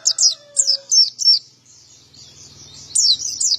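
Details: Active male white-eye, a wild-type bird with a clear, ringing voice. Several high, falling chirps come in a fast burst, then a thin warbling stretch and more chirps. A lower, drawn-out tone sounds at the start.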